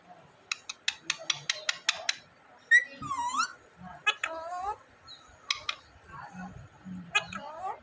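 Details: Talking parrot kept as a pet in Vehari, Punjab, Pakistan, phone-recorded: a rapid run of sharp clicks followed by several wavering, harmonic, speech-like phrases and squawks in a quiet room.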